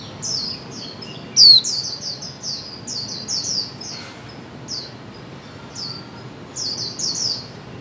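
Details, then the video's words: Female white-eye giving a call meant to make mute birds sing. One loud, thin descending note sounds among many quicker, softer high chirps repeated in a busy stream. "Khuyên mái 2024 hàng giành cho chim câm"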